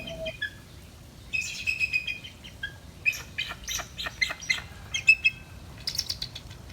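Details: A captive pair of American bald eagles, a larger female and a male, at a zoo, giving thin, high, squeaky chirps in quick stuttering bursts, a weak giggling chatter rather than a bold scream.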